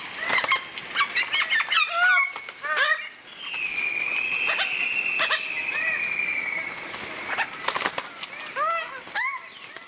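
Greater bird-of-paradise giving short, arched, throaty notes in quick bursts, with a long falling whistle midway, over a steady high insect drone.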